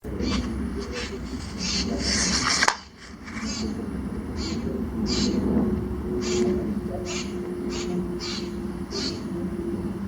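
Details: All-black birds a size smaller than robins, said to sing like crows, recorded in Calgary, Alberta, Canada, on July 22, 2025 with boosted volume: short harsh high bursts repeated about once a second, one loud thump, steady low background hum.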